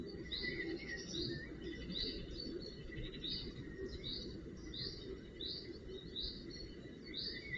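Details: Northern goshawk fledglings being cared for at the nest, 4 June 2018: high, slurred calls repeated roughly every half second to second in a steady series, over a constant broad background hiss and low rumble.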